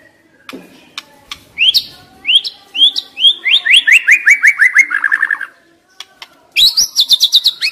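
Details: White-rumped shama singing to stimulate stressed young wild-caught shamas. Sharp upslurred whistles are followed by an accelerating run of about a dozen descending notes, then a pause and a quick, high stuttering trill.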